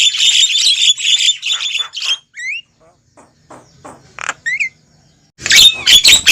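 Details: Javan myna giving noisy lure calls used to draw wild mynas toward a trap: dense harsh, buzzy squawking for two seconds, then scattered short upslurred whistles and clicks, ending in a renewed burst of rasping chatter.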